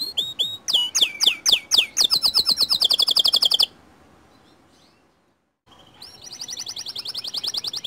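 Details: Lure song of a white canary, sung to set other canaries off: quick falling whistles give way to a fast buzzy trill, a short silence, then a high rapid trill resumes.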